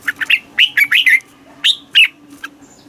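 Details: Red-whiskered bulbul singing in Thailand, recording played to rouse caged birds: a run of bright, bubbly, slurred whistles grouped in twos and threes, then two sharper single notes, over a faint steady low hum.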